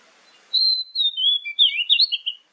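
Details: Oriental magpie-robin song used as a morning-to-evening lure to make other magpie-robins answer: a long clear whistle, then a quick run of sliding, warbled high notes over about two seconds, faint hiss at start.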